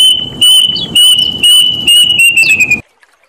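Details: Loud, distorted series of about seven high whistled notes from a plaintive cuckoo (emprit gantil), sliding gradually lower at the close before falling silent.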